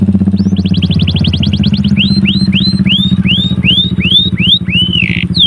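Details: Canary singing energetically, delivering copied material in a rapid run of high repeated chirps, about twelve notes, then a series of slurred notes that each swoop up and fall away, over steady background music.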